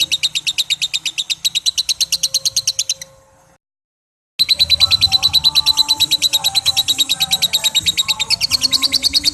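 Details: Lovebird in long 'ngekek' chatter: quick, evenly spaced shrill ticks for three seconds, a brief silent gap, then the rattling series resumes loud until the end.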